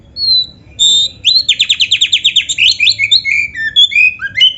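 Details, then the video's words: Vigorous oriental magpie-robin song of the 'gacor full isian' kind: a thin lead-in whistle, a quick stuttering burst of repeated notes, then a string of varied rising and falling whistled phrases. "suara burung kacer gacor full isian"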